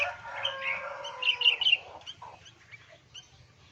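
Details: Young being fed by a sooty-headed bulbul; a man's voice briefly, then quick high chirps fading into sparse soft twitters.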